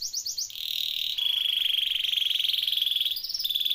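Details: Canary in rolling song, recorded to tutor and prompt silent canaries: a few short rising notes, then a long, even rolling trill held for about three seconds.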